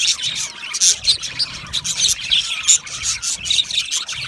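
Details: Budgies singing and chirping, for lonely pet budgies; quick, bright chirps and buzzy twitters in uneven pulses, several voices at once.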